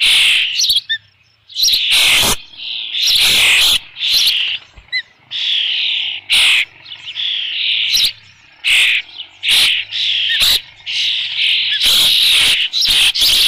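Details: Osprey on the Dunrovin Ranch nest with a fish, 3 June 2018, 5 PM: repeated loud, piercing squeals and shrill whistles, some long and some clipped, with brief pauses between.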